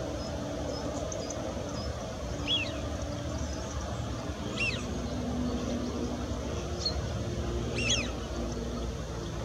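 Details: Eurasian wigeon at the Bedburg settling ponds give short, sharp whistles, four or so spread over several seconds, over a steady low rumble of wind or distant traffic.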